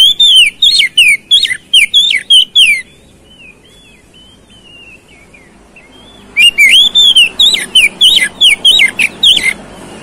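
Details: An oriental magpie-robin sings loud, fast whistled phrases as a lure meant to provoke a stubborn fighting response. A dozen sharp notes give way to a quiet, scratchy warble, then a second energetic volley.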